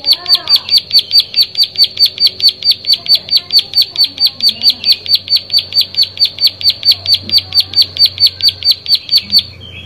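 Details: A plain prinia delivers a long unbroken series of dry, high clicking notes at an even rapid tempo, roughly two per second, with faint background chirps at the start.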